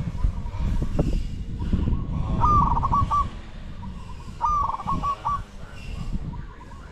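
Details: Spotted dove coo during decoy luring of wild doves: two clear rolling phrases, each a short note then a quick stuttering run of coos, about two seconds apart, over low rumbling wind and handling noise.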